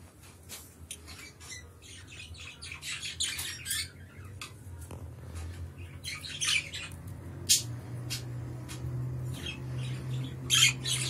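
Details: Blue budgerigars, a father and his young, give harsh, scratchy squawks and chirps in irregular bursts, with a steady low indoor hum underneath.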